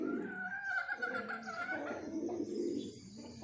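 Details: Pigeons of a breeding pair make a low, murmuring coo. A steadier, higher tonal sound runs above it for the first half.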